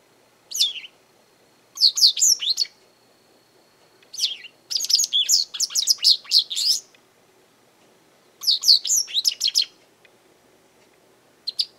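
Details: Japanese wagtail calling persistently in a garden, perhaps demanding something, threatening others or claiming territory; high, sharp chirping notes come in dense bursts of about a second, separated by short pauses, over a quiet background.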